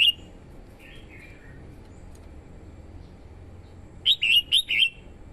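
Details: Vietnamese female red-whiskered bulbul singing to excite males and call in wild birds: soft, slurred whistles at first, then, after a quiet gap, a loud run of four bright, clear whistled notes.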